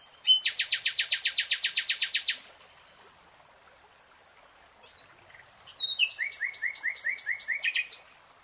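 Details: Nightingale in a lush green forest delivering a rapid rattling trill of about twenty even strokes, a quiet pause with a thin whistle, then a lively series of repeated sweeping notes.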